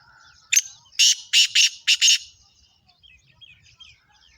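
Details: Black francolin, the kala teetar, a fast speeder-style caller, giving one harsh grating call of five rasping bursts within about a second and a half, followed by faint distant twittering of small birds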